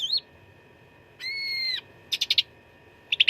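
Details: Cucak ranting giving fighting song for contest-bird training: a brief whistled slur, a steady sustained whistle held about half a second, then a quick cluster of sharp chips and a final short burst.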